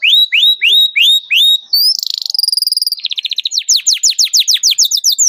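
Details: Energetic canary singing cuit cuit to call a rival, meant to teach other canaries their song; sharp rising-falling whistles, a buzzy burst, a fast rattling trill, then quick swooping chirps.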